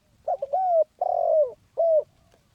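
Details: Spotted dove giving a rousing 'khan yon' style cooing call, as used for decoy luring: three low, throaty coos, the first preceded by a short stuttering lead-in, the middle one longest with a falling end, then a short final coo, quiet background.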